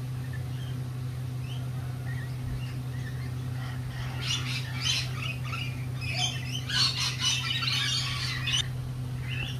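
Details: Lorikeets at a lorikeet cafe give harsh, rasping screeches in dense overlapping bursts during the second half, over a steady low mechanical hum.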